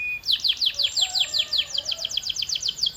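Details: Canary giving a steady run of bright, falling whistled notes, roughly six per second, evenly repeated throughout with a faint lower tone underneath.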